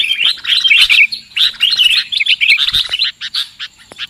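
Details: Sooty-headed bulbul lure call used for trapping birds: rapid bursts of chirpy, twittering notes in short phrases separated by brief pauses, bright and high, with faint clicks between phrases.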